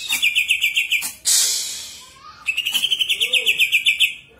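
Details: Greater green leafbird singing, played as a lure to set other birds singing: a rapid, even trill of bright notes, a short burst of harsh high chatter, then the quick trill resumes for about two seconds.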